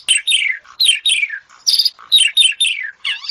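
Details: Asian pied starling song of paired notes, each a high squeak over a descending slurred whistle, delivered in a choppy rhythm with short gaps and a few harsh, noisy bursts.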